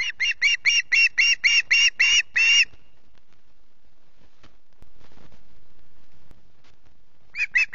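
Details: Hungry osprey chick screeching at Loch Garten early on 14 August: a rapid train of nine grating cries, then several seconds of near silence before the calling starts again.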